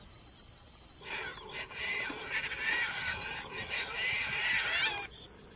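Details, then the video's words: Caspian tern in flight giving loud, harsh, grating calls that run together for about four seconds. A constant high-pitched hum carries through the background. "Caspian tern birds call sound / flying"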